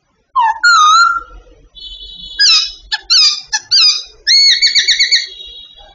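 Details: A babbler singing as part of daily training gives clear ringing whistles, including a long steady tone. Clipped notes and a final stretch of rapid repeated whistles follow.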